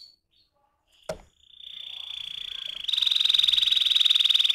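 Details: Canary ngerol roll: after a click, a steady high tone builds in loudness and turns into a rapid, regular trill of pulsed notes.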